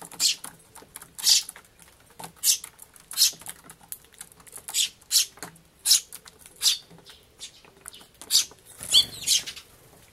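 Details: Begging of a young sparrow being fed by its parent, recorded in May 2011; a long run of harsh, buzzy, high cheeps, irregularly spaced, with a brief scuffling noise near the end.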